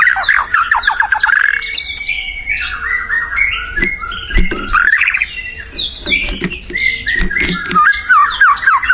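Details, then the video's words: Wild white-rumped shama in full song: rich, rapid, varied phrases of slurred whistles and warbling notes that sweep up and down, continuous throughout, with faint clicks underneath. "SUARA UNIT MURAI BATU GACOR DI ALAM LIAR"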